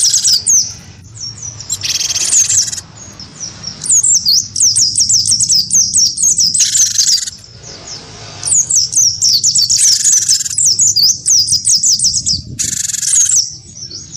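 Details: Cinereous tit of the wingko type, kept caged and singing heavily, stirred into a sound duel against a white-eye. Bursts of quick high chirped whistles alternate with broad rasping buzzes and short pauses.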